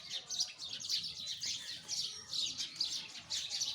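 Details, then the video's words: Many sparrows chirp together in a steady, dense chatter of sharp, high notes that rise and fall in loudness. "Listen the voice of sparrow"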